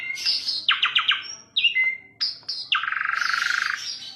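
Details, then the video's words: Asian pied starling song with a short stuttering rattle, a couple of whistled slurs, then a long harsh buzzing trill. "KICAU JALAK SUREN MANTUL"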